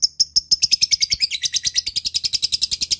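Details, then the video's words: Lovebird giving its long ngekek chatter, played as a lure to call a rival bird: a high, rapid, rattling stream of notes, roughly eight a second, with no pause. "lovebird akan kepancing ngekek panjang setelah di dengar pancingan ini"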